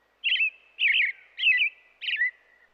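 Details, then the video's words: An American robin sings four short, warbled caroling phrases, one roughly every half second, clear and mid-high in pitch with no other sounds; American robin. "Robin Sounds 🐦 American Robin Sound Effect"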